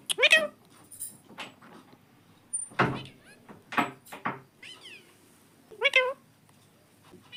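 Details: Pet parrot talking indoors, saying words like "mummy": short bright harmonic voiced bursts at the start and near the end, with scattered knocks and household noises in between.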